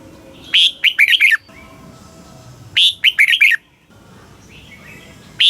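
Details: Thai red-whiskered bulbul song in the southern master style, used to stimulate caged birds: two lively phrases of chirpy, up-and-down whistled notes about two seconds apart, with a third phrase just beginning at the end.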